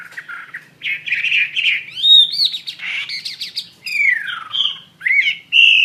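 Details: Wambi mandarin bird singing actively, delivering a loud, varied run of warbled phrases with rising and falling whistled slurs and bursts of chattering notes, with brief pauses between phrases.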